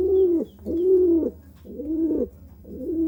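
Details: Four soft, throaty coos from a courting pigeon, each phrase gently arched and ending in a slight downward slide, separated by short pauses.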